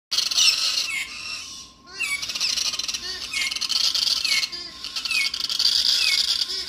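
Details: Galahs (rose-breasted cockatoos) at Alice Springs give harsh, screechy high calls in a fast, uneven chatter, overlapping one another with brief pauses between bursts.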